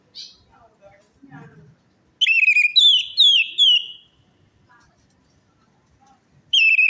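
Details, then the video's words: Lure song of an orange-headed thrush, meant to prompt a stressed or silent bird to sing. Faint low sounds give way to loud, high whistled phrases with rapid trills, then a fresh phrase starts after a pause. "pancingan Anis merah macet bunyi,males bunyi atau stres"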